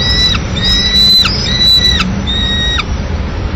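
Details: At a Madrid peregrine falcon nest in May 2016, the mother arrives with a pigeon for the solitary chick. Four drawn-out, steady-pitched wailing cries, each about half a second long, sound over a low rumbling city background.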